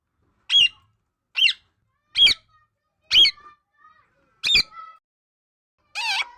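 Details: Talking parrot giving sharp, high, harsh squawks, one roughly every second, six in all, the last a longer wavering note; a few faint soft chirps between them in an otherwise quiet room.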